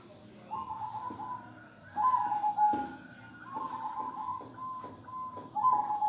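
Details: Kong-style song of a local zebra dove: a series of soft, mellow coo phrases, each a short stutter ending in a level whistled note. The phrases repeat several times over six seconds with faint clicks between them.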